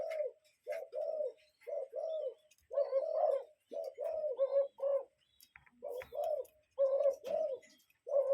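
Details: Real cuckoo in nature calling in a long, even series of mellow paired hoots, about one pair per second, some notes doubled, with faint high chirps behind.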